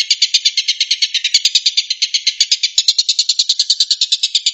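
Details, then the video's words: Long-tailed shrike, locally tengkek buto, in rapid 'tembakan' song: fast, scratchy, chattering notes in a continuous rattle, the tone shifting slightly higher toward the end. "kicau tembakan burung tengkek buto"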